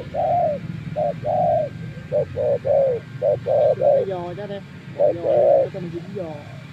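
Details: Spotted dove decoy, out in the wild for several days, coos steadily: short and long mellow hoots alternate rapidly, with a brief human voice in the middle and a low background rumble.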